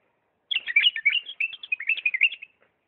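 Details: A Diyala bulbul sings a quick, liquid warble of about two seconds: a run of bright, tumbling whistled notes rising and falling in mid-high pitch, with no other sounds.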